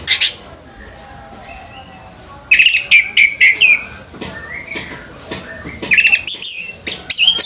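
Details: Orange-headed thrush at a bird singing competition: a short high note, a pause, then rapid runs of varied whistled and warbled phrases, some sliding and trilled, with faint crowd noise behind.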